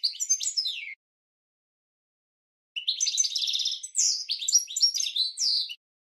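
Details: European goldfinch training song for cage birds: a short twittering burst, a pause, then a longer rapid run of high liquid twitters, buzzy trills and chirps, clean with no other sounds.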